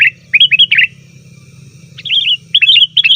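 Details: Sooty-headed bulbul in a busy calling bout meant to lure wild birds: clusters of three or four bright, slurred chirps, separated by about a second of quiet, with a faint low hum behind.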